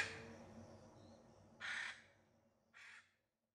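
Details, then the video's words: Two harsh raspy squawks of a Hyacinth macaw in the Brazilian Pantanal, the first longer and louder, the second shorter, followed by silence. "Hyacinth Macaw. Pantanal, Brasil"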